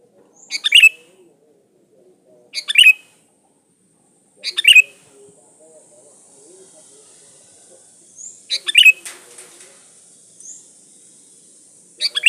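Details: Energetic Sooty-headed bulbul song used to lure other birds: sharp twittering bursts repeat every two seconds or so, with a steady high hiss running through the middle.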